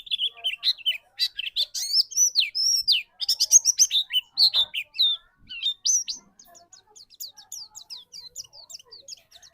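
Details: White-eye lure song, played to spur another white-eye into singing: a fast, jumbled twitter of high, thin, bending whistles and chips, at first dense and loud, then thinning into quieter, evenly spaced rising notes.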